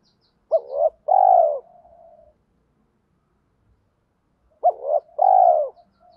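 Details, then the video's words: Spotted dove used as a decoy for wild doves, thổ pha đồng voice: two identical phrases about four seconds apart, each a quick double note then a long falling coo trailing into a soft murmur. "tiếng chim cu gáy giọng thổ pha đồng, cu gay kich boi nhanh noi gù"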